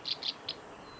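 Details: Black-browed reed warbler singing at the Kita-Fuji training ground, Japan, on 16 June 2019: a brief burst of three high, scratchy notes in quick succession, the last one shorter and sharper.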